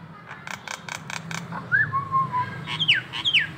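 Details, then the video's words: Nias hill myna in local masteran training, with a rapid series of harsh notes, then a long clear whistle falling and flattening, and two sharp downslurred whistles. "masteran jalak Nias lokalan aja"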